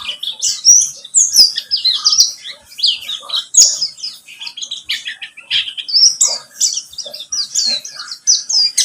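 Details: Continuous high, chattering song of a pleci buxtomi white-eye, used to prompt other birds to sing, made of fast slurred chips and thin whistles with a faint low hum underneath.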